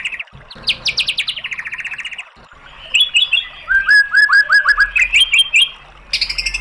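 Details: Murai batu, or white-rumped shama, in a training song meant to make listening birds answer: rapid falling note bursts, a steady rattle, then lower liquid slurred notes repeated in quick succession.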